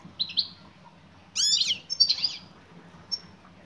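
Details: Female European goldfinch call aimed at a male: two quick high chirps, then a louder, harsher, rasping burst with sweeping notes, followed by a thinner twitter and one faint final tweet.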